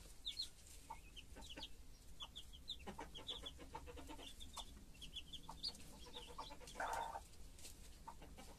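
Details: A brood of chicks and their hen. Dense, high chirping falls in pitch note by note, interspersed with quick, low clucks, and a brief louder, rougher hen note near the end.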